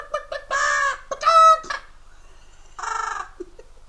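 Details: Noisy pet Amazon parrot in a home, prompted for a chicken sound, gives raspy clucking bursts and a sharper squawk, then one more cluck after a pause, while a person talks around it.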